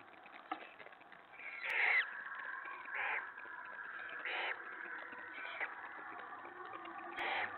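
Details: Owlets give harsh, hissing screeches in short bursts about once a second or two, over a steady hum, at feeding time around 7 PM on 21 March 2017 as the adult owl feeds them rabbit.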